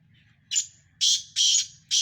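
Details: Black francolin from Sindh, one of five birds in a calling contest: loud harsh grating bursts, four in two seconds, each about a quarter second long.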